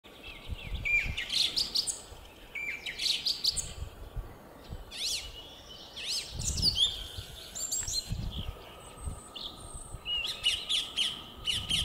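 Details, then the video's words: Song thrush singing in spring 2022, with short, loud, varied whistled and chattering phrases about one every second or two, over a steady low hum and faint background noise. "Певчий дрозд поёт / song thrush sing"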